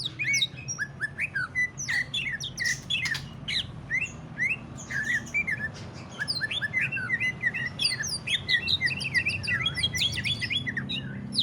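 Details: Greater green leafbird singing in the ngentrok style, used to spur other leafbirds into song: a dense, fast stream of varied chirps, upslurred whistles and sharp flicked notes, nearly continuous, over a steady low hum.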